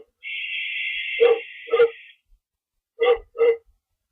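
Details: Owl screeching from a lookout just after midnight on 24 March 2012, after chasing an unknown owl: a long, harsh, hissing screech lasting about two seconds, overlapped near its end by short barking calls, with two more barks after a pause.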